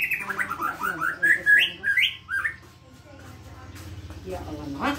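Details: White-rumped shama 'pastol' song for tutoring young birds: a quick series of short upslurred whistles, about two per second, fading into low background noise with a final rising note.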